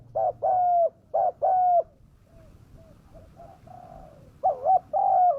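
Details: Fierce-voiced spotted dove used as a lure for wild doves: two pairs of short-then-long coos, a quiet spell of faint far cooing, then a wavering double note and one drawn-out hoot.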